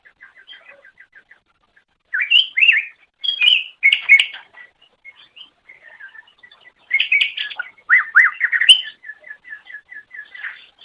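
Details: Greater green leafbird song for training pet birds: soft, rapid ticking series of short notes, broken by louder bursts of slurred whistles and chattering phrases, ending in another ticking run.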